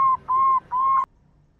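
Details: Zebra dove, local Indonesian bird, singing a lure song with a big 'kung' voice: three clear level whistled notes, each about a third of a second, evenly spaced, then silence.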